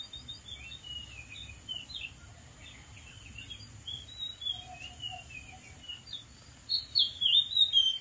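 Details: Wild Oriental magpie-robin singing from a dead tree: a long run of short varied whistles and chirps, growing louder toward the end with sweeping high trills, one low whistle midway, constant background hiss.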